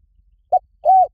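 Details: Spotted dove coo used as a lure to train a dove to call back, in the Liu Tan style: a short low note followed by a longer, steady, slightly arched coo, with silence between.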